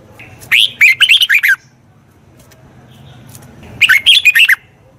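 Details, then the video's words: Red-whiskered bulbul singing, a recording used to train the voice of a wild-caught bird: two lively phrases of rapid, slurred whistles, each about a second long, spaced roughly three seconds apart over a low background hum. "Tiếng chào mào luyện giọng chim bổi. นกปรอดหัวโขน"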